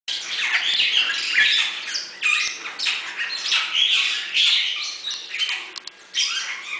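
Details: Bali myna (Leucopsar rothschildi) at Avifauna, Alphen aan den Rijn, giving loud, harsh squawks and chattering notes in a near-continuous, irregular stream, mostly high-pitched and grating.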